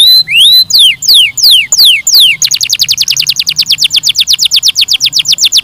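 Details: Canary song opening with slow, wide, sweeping whistles that rise and fall, then switching to a very fast, even trill of short high notes.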